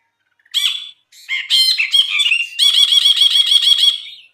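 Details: Brinji (bulbul), recorded as a gacor masteran tutor song: quick harsh chattering bursts building into a sustained, rapidly pulsing buzzy trill over about two seconds, ending abruptly.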